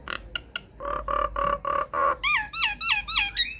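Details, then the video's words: Nias hill myna singing a lure phrase to prompt other mynas to reply: a few sharp clicks, five nasal buzzy notes, then a run of six quick downslurred whistles. "SUARA PANCINGAN JALAK NIAS GACOR BIKIN JALAK MACET LANGSUNG NYAUT"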